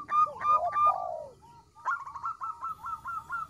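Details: Zebra dove of local type with a small voice, used to lure wild doves: a short burst of quick coos and a drawn-out descending coo, a brief lull, then an even run of rapid notes.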